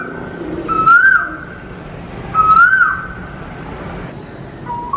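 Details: Asian koel heard in a garden, repeating a clear whistled note that climbs in pitch roughly every one and a half seconds, with the start of a third note at the very end.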